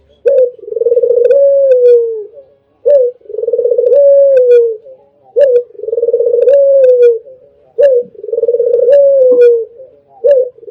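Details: Albino spotted dove giving a melodious song as a training master recording: four low coo phrases about every two and a half seconds, each a short opening note, a rolling pulsed coo, then a long smooth falling tone; faint ticking clicks between phrases.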